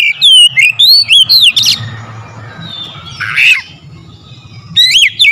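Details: Oriental magpie-robin singing, played as a lure to stir up singing and agitation: quick, varied whistled phrases with slurs, a harsh rasping note midway, a faint low hum behind, then more sharp whistles at the end.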